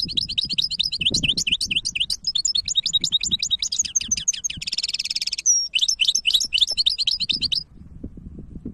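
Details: Goldfinch hybrid in full song, 2023: a long, rapid sequence of high liquid twitters, a buzzy rattling trill and a sharp whistled note, continuing nearly eight seconds before falling silent.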